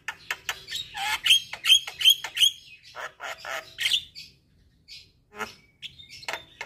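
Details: Javan myna song for morning and evening playback to stressed birds that no longer sing. Dense chattering buzzes with a few bright whistled notes, trailing into scattered clicks and soft calls.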